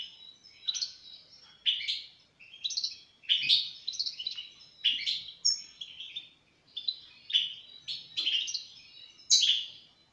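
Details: European goldfinch singing a lively series of short twittering phrases, bright tinkling notes and buzzy trills in bursts roughly every second, with brief pauses between phrases.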